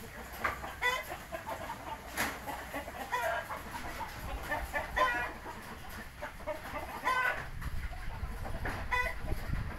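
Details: Young Indio Gigante chickens, three months old, repeatedly give raspy clucks and strained crow-like squawks at intervals of roughly one to two seconds, overlapping with other calls and steady low background noise.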